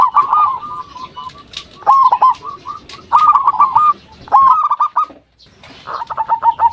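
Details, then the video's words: Local Indonesian zebra dove cooing, used as a lure to make other doves answer: overlapping phrases of quick, mid-pitched cooing notes run together with little pause, with brief gaps and scattered clicks between them. "Perkutut Lokal Gacor RAJA PIKAT Ahlinya Bikin Semua Burung Perkutut Pada Nyaut"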